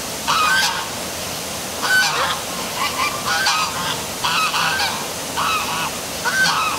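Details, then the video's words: Noisy geese at night near the City Hall waterfall in Milford, Connecticut, giving frequent harsh, nasal honks in quick succession, several birds overlapping, against steady rushing water. "Dark Night Geese Calling by Waterfall"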